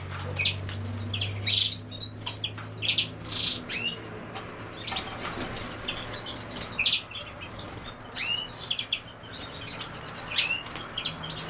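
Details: Over a low droning hum, a European goldfinch associated with common sowthistle gives repeated high chirps and quick upward-flicking notes, spaced irregularly across the recording.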